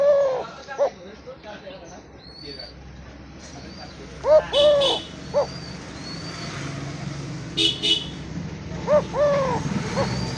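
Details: Village-kept Eurasian collared dove repeating its three-part coo several times, short note, long hollow note, clipped ending, every few seconds; faint thin chirps of other birds and occasional clicks sound in the background.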